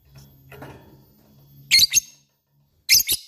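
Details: Lovebird sounding ngetik and ngekek notes: faint low background rumble, then two separate pairs of loud, piercing, high double chirps spaced about a second apart.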